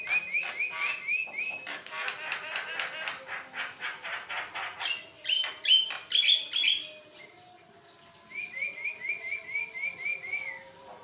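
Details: Javan myna (jalak kebo) in unbroken song used to train other mynas and prompt them to sing; repeated downslurred whistles, dense rapid chattering, squeaky notes, then a neat run of eight quick whistled notes.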